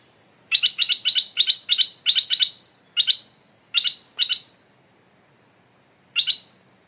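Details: A captive Stripe-throated bulbul, returned to the forest where it was caught and hung up there, gives a quick run of harsh, chattering chirps, then single short bursts about a second apart, over a quiet background.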